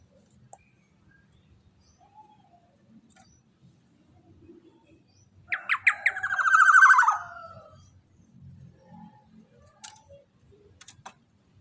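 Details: Black-naped oriole, loud lure song for other orioles: a few sharp rising lead notes, then a long harsh, buzzy, nasal phrase sliding downward, heard once amid faint low background rumble.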